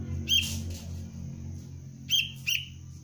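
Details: Sooty-headed bulbul chick, Cengkram line, in basic training for luring: one sharp chirp with a rustle, then a brisk double chirp after a pause, over a constant low droning hum.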